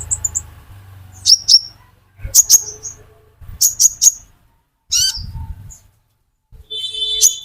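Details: Olive-backed sunbird, a metallic konin used as a lure sound for green konin, giving sharp, very high thin chirps in short pairs and clusters separated by pauses, with a low hum beneath.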